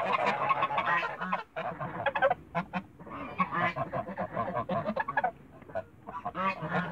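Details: Backyard Toulouse geese honking in a noisy group, rough cackling notes tumbling over one another with scattered louder peaks.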